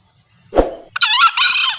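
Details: Green junglefowl lure sound of a female calling males: a dull thump, then a loud rasping two-part screech, its short first burst running straight into a longer hoarse note, with a click at the end.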